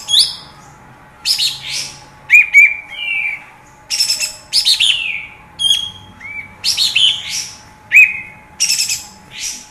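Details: Bulbul song played to rouse caged birds' fighting spirit: irregular bursts of buzzy chatter mixed with short dropping whistles over nearly ten seconds, a faint steady hum beneath.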